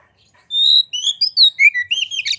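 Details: A white-rumped shama sings to provoke other birds: one long, steady high whistle leads into a string of quick gliding whistles dropping lower, closing with a buzzy rasp.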